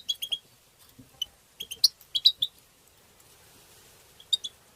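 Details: European goldfinch twittering in the style called batbata and satsata, used to stimulate songbirds: short high sharp chirps in quick clusters of two to four notes, separated by brief pauses, over a quiet background.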